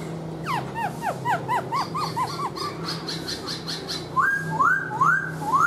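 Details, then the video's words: Singing-and-dancing caged black-throated laughingthrush, tail fanned out: a fast series of descending whistled slurs, then a few loud rising whistles near the end, over a low steady hum. "KHƯỚU BẠC MÁ HÓT MÚA ĐỈNH CAO - ĐUÔI XÒE NHƯ CÁI QUẠT"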